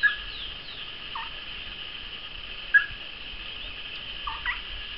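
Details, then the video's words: A group of moustached turcas, seemingly courting, gives short abrupt notes at irregular intervals, some clipped and slightly higher, against a constant shrill insect-like drone. "PAREJA DE TURCAS (Pteroptochos megapodius) EN CORTEJO"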